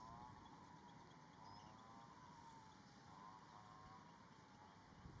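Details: Little Grebe at rice fields and marshland in Prachuap, Thailand, giving a long, wavering, whinnying trill that rises and falls in pitch, over a steady low background rumble.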